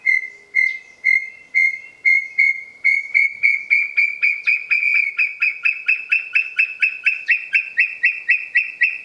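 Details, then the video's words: A pair of brown tinamous (Crypturellus obsoletus) calling just after dawn on 30 November 2016 at Trilha dos Tucanos, São Paulo state, Brazil: long series of pure whistled notes starting slowly, speeding up and rising slightly, ending in a quick run. "Brown Tinamou calling"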